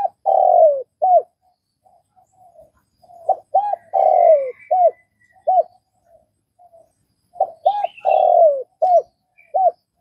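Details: Spotted dove from Vietnam cooing in three repeated phrases, each of short arched notes, a long drawn-out coo sliding downward, then one or two clipped notes. Faint softer coos fill the gaps, with a brief higher chirp near the end.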